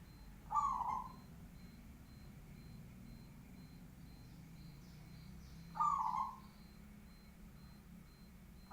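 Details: A local zebra dove delivers strong, low rolling coo phrases, two full bursts about five seconds apart and the start of a third, over quiet background with thin high chirps from other birds.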